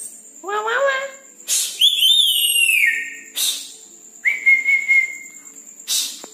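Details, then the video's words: At night, a red-breasted parakeet gives a nasal descending call, then high sliding whistles and a level sustained whistle, broken by sharp noisy bursts and a constant thin high tone. "Nuri Paltem Gacor diMalam Hari"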